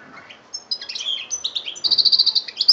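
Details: Brief European goldfinch song from Algeria, 2013: a few slurred chirps build into a rapid, evenly spaced series of about a dozen bright buzzy notes.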